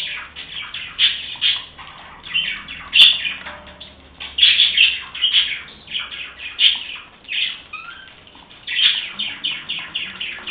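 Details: Happy budgerigars in a group keep up a lively chatter of quick chirps, tweets and short warbled phrases. The calls come in bursts with brief quieter gaps between them.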